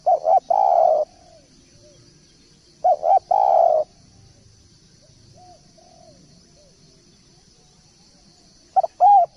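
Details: Spotted dove in lively song: phrases of two clipped coos and a longer falling coo, repeated about every three seconds. Soft distant calls come from another bird, with a faint constant high hiss.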